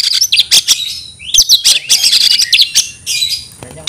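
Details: Challenging cry of a kacer, or Oriental magpie-robin, calling an opponent to fight. Dense, scratchy, high chatter mixes with rising slurred whistles, giving a busy, almost continuous outpouring.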